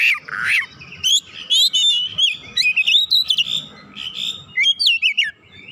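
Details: Oriental magpie-robin in full, energetic song, recorded as a lure for other magpie-robins: loud varied whistles, slurred upward sweeps and quick chattering notes, running almost continuously for five seconds.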